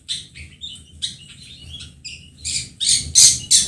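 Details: Long-tailed shrike call played as a lure to get young birds calling: high, scratchy chirps and short twitters in varied notes, ending in several louder harsh bursts.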